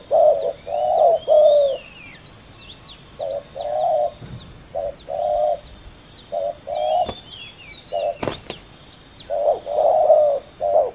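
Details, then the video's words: Competing male spotted doves, a fierce pair in a ground decoy session, giving grouped hoarse coos separated by short pauses, while small birds twitter at higher pitch and a couple of sharp clicks sound. "ต่อดินนกเขาใหญ่ ดุเดือดคู่นี้!!"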